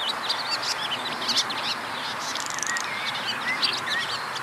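Barn swallows twitter in quick, high, scratchy chirps, with a few thin rising whistles mixed in, over a steady hiss of background noise.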